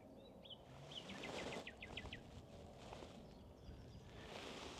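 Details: A common nightingale sings right beside the recordist on Minster Marshes near Pegwell Bay, Kent, a fast series of loud repeated whistled notes, about eight in a second-long burst, over steady wind and low rumbling; another sings nearby.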